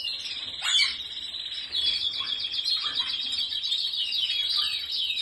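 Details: Singing canary delivering dense high trills and rattling tours, opening with a sharp downward slur, then steady rapid pulses with occasional lower swooping notes.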